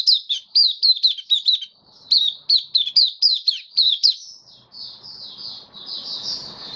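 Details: Caged White-eye (Mata Puteh) singing on 18 May 2022 after deworming delivers a fast chain of piercing, swooping high whistles, then settles into a softer, continuous thin twittering warble.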